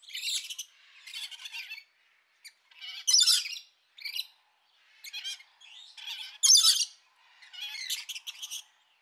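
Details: Rainbow lorikeets squawking in harsh, raspy bursts of uneven length, loudest near three and six and a half seconds, with short gaps of silence between groups.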